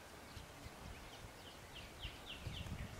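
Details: Northern flicker at Vernon Marsh: a quick series of sharp, downward-slurred notes, about four per second, growing louder toward the end, over steady low rumble and outdoor background noise.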